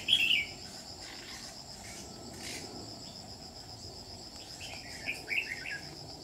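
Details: Red-whiskered bulbul, trapping session dated 27 July 2019: a loud sharp warbled phrase opens, then a softer string of chirpy notes near five seconds, over faint continuous cricket trills.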